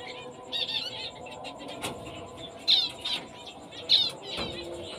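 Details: A female fawn zebra finch of the black-breasted, orange-breasted type gives short, nasal, tinny calls at irregular intervals over a soft background hum.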